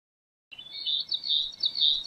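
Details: Gray-cheeked thrush song beginning abruptly after a short silence: high, reedy, wavering notes rolling in quick succession over a light hiss of background noise.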